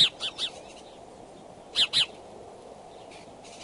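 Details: Bald eagle courtship calling near the Decorah nest, 2 February 2012, 9:30 am; short high piping notes in quick pairs and triplets, separated by a long quiet gap with low background hiss.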